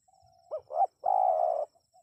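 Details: A single spotted dove phrase, used to lure wild birds into answering: a soft lead-in note, two short rising hoots, then one long, level, husky coo lasting about half a second.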